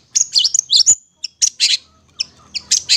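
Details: Long-tailed shrike singing a master song intended for young birds still hand-fed, with scratchy high bursts and short chips broken by brief silences.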